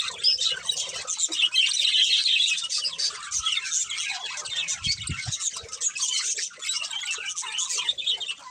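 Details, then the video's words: Pet budgies, a breeding pair, keep up a rapid chirping chatter, about two or three notes a second, gritty and warbled, with a few soft low knocks in the middle. "Beautiful Budgies Chirping Sounds"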